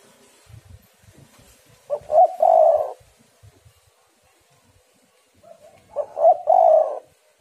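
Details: Spotted dove female giving a call meant to attract and excite males. Two cooing phrases come about four seconds apart, each with clipped opening notes and a drawn-out rough coo. Faint low thumps sound between them.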